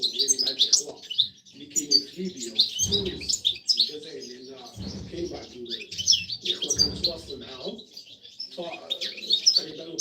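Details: Female European goldfinch kept in a cage, calling to the male during the mating season. Dense bursts of high, bright twittering chirps run almost without pause, over lower murmuring sounds.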